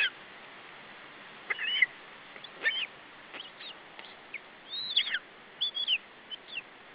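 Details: Chick of lesser spotted eagle at an Estonian nest, July 2012, protecting its food against an adult: irregular high squeaks and slurred yelping notes in short clusters, some rising and some falling, over constant background hiss.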